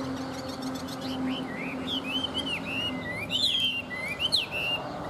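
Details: Chinese hwamei in a cage, praised for a fanned tail and strong fighting spirit, delivers a chain of loud looping whistled phrases. Sharper upward flourishes come near the end, over a low steady hum.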